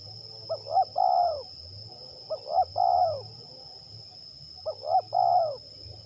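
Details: Zebra dove (terkukur) from Liwa, West Lampung, Indonesia, singing in a contest trial; three cooing phrases, each a brief note, a second short note and a long rolling trill-like coo, spaced about two seconds apart, with a steady background hum.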